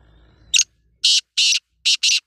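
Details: Black francolin giving a harsh, scratchy phrase: one brief note, then two pairs of broad grating notes in quick succession, each pair repeated about half a second apart, otherwise quiet.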